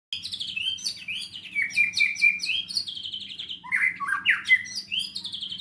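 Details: White-rumped shama (murai batu) singing energetically in the rich 'isian' style, a dense unbroken run of varied high whistles, slurred sweeps and quick trills packed closely together, with a faint low hum underneath.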